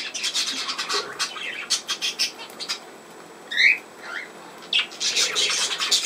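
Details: Budgerigar sounds from 17 November 2024: rapid scratchy chatter, then a clear rising whistled note and a few short sliding whistles before the chattering resumes.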